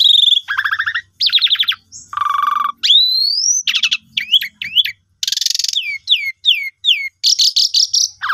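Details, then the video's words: Lure song of an Asian pied starling, meant to stimulate non-singing birds: a varied medley of descending whistles, a low buzzy rattle, a long rising whistle, then quick upward-hooked notes and chattering bursts. "Pancingan Jalak Suren Jitu Cocok Buat Burung Macet Pasti Gacor"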